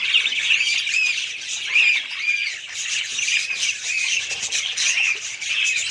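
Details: Budgerigars give a run of short, bright, arched squawks and chirps, repeated rapidly over a continuous warbling background.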